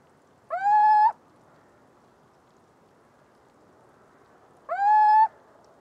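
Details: A little owl (Athene noctua) sings two matching calls roughly four seconds apart: each one quick upward swoop flattening into a level, nasal, hooting note, with a faint background hiss.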